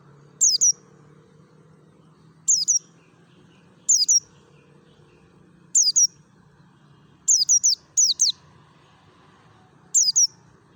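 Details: Mountain white-eye of the Merapi type, a wild-style lure song used to get other white-eyes singing: thin, very high, sharply falling chirps in doubles and triples, bursts about every two seconds over a faint low hum.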